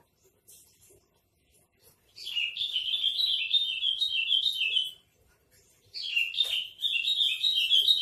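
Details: Javan bush lark master song, trotol style, bird for sale in Tambun: long, continuous rapid warbling trill of quick wavering notes lasting about three seconds, a short pause, then another fast twittering run.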